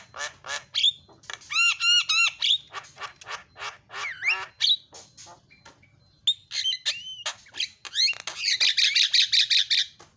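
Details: Javan myna (jalak kebo) in energetic song meant to make other mynas sing: harsh chattering notes, a run of nasal honking calls, whistled slides and a closing burst of rapid harsh rattles.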